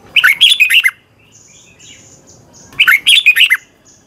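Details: Thai red-whiskered bulbul training song: two brisk phrases of warbling, bubbly whistles, each under a second, with faint high thin notes from another bird in the pause between.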